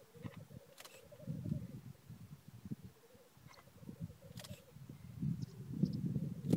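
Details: Early-morning black grouse lek in Glen Bruar on the Atholl Estates: a continuous low, bubbling, pulsing murmur from the displaying birds, with occasional sharp hisses and low wind rumble.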